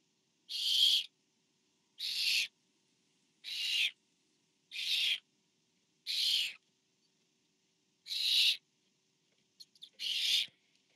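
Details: Barn owl nest camera, 24 September 2015, as a parent feeds owlet number four: seven short, harsh hisses in a steady series about every one and a half seconds, with faint ticks near the end.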